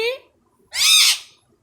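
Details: Pet Indian ringneck parrot known for talking in Urdu and Hindi, indoors. A brief human voice comes first, then a single loud, raspy, drawn-out screech lasting about half a second.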